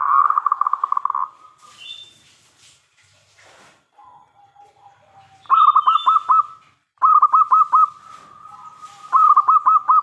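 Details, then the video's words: Local Zebra Dove singing loudly as a lure for other doves: a quick stuttering run of notes opens, followed by soft low cooing and then three phrases of pulsed, bubbling coos in close succession. "PERKUTUT LOKAL GACOR suara besar"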